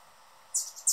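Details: Male Anna's hummingbird on his favourite feeder-guarding perch gives two sharp, very high chips about a third of a second apart, over a faint background hiss.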